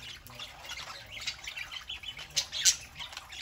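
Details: Saturday-morning chatter from several pet parakeets, fast overlapping chirps and warbles, quieter at first, then sharper high squeaks near the end.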